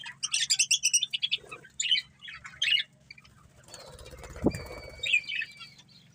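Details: Budgerigar breeding pair: a quick run of rapid scratchy chirps, then separate squawky notes, followed by quieter sounds with a faint whistle and a soft thump.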